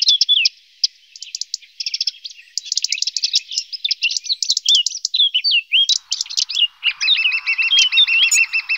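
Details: A lesser spotted woodpecker feeding its young: a busy stream of high, sharp chirps and twittering notes, ending in a run of harsher, buzzy calls repeated quickly.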